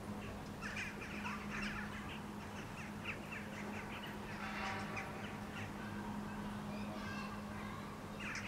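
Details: Eurasian jackdaws gathering on a rooftop in Helsinki, Finland, in July 2013 before flying to their night roost give overlapping short, sharp 'chak' calls in bursts over a low hum.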